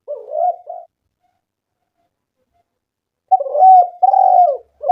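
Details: Cooing spotted dove played to lure doves into calling: the tail of one soft two-note phrase, nearly three seconds of silence, then a loud phrase of long, low, slightly wavering coos.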